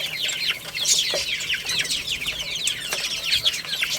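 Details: Chicks playing and eating, a steady chorus of thin, quick descending peeps from numerous birds, with a few sharp knocks mixed in.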